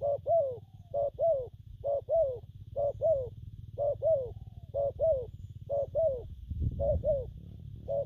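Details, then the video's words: Spotted dove cooing, styles named gù phóng, kèm and gù lăn săn: an unbroken series of mellow paired coos, clipped first note and drawn-out descending second, about one pair per second, with a low thump near the end. "Bổi nước gù phóng, kèm, gù lăn săn"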